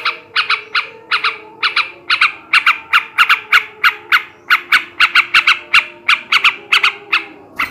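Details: Male trucukan (yellow-vented bulbul) singing in the ngebrem ngekek garuda style, meant to raise breeding drive in other birds: rapid harsh chattering notes in quick pairs and clusters, steady throughout with a faint low hum behind.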